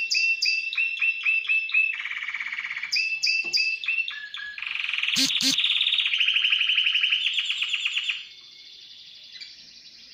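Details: Timbrado canary, newly placed in a cage the night before, singing: metallic rolled trills, then short clipped notes and a long steady pulsing roll that fades to a softer ending.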